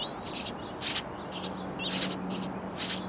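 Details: Baby sparrows chirping for food inside a bird house nest; high, wavering chirps and scratchy bursts come in quick irregular succession, about six within three seconds.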